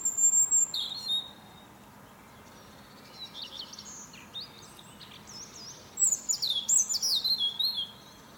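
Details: European robin on a fir tree at dawn, opening with a piercing high whistle, then softer warbled twitters, ending with a loud cascade of fast, high, tinkling notes.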